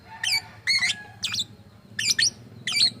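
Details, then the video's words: Strange-sounding lovebird, reported to copy human speech, giving five short shrill squeaks with twisting pitch, spaced about half a second apart against a faint low hum. "Burung Love Bird bersuara aneh"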